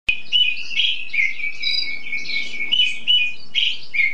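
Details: A songbird in its song-display stage, singing for hours without stopping, gives a continuous, rapid run of high chirps and warbled trills with no pause, some notes buzzy, others clear and sweet.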